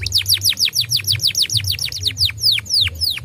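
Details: Canary recording used to coax young canaries into song: evenly spaced, sharply falling whistled notes repeated roughly three times per second, with a low humming background.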